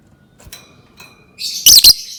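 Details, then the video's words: Lovebird giving a rising raspy note that breaks into a sharp double squawk at the end, after some faint soft chirps. "Suara Burung Lovebird"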